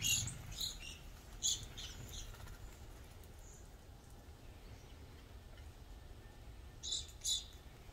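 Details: A visiting group of Evening Grosbeaks in Burlington County, New Jersey, in fall 2020, giving short, clear, high chirping calls in scattered bursts every second or two over a steady low rumble of wind or distant traffic.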